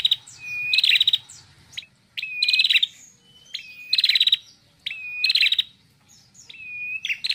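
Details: Female red-headed prinia repeating a loud phrase about every second and a half: a clear, slightly rising whistle snapping into a bright, buzzy trill.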